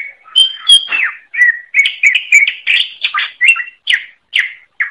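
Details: Greater green leafbird in lively 'gacor' voice for songbird tutoring: an unbroken string of loud whistles, downward swoops and rapid chips, each note roughly a third of a second long, heard cleanly.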